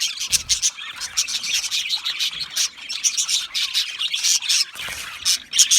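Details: Budgies calling in an aviary: steady mixed chatter of high chirps, squeaky whistles and squawks from several birds at once.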